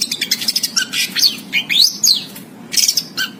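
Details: Caged, tame Javan long-tailed shrike singing actively with a rich, varied repertoire: quick high chirps and short rising and falling whistled sweeps in bursts, then a brief pause and another tight cluster of notes.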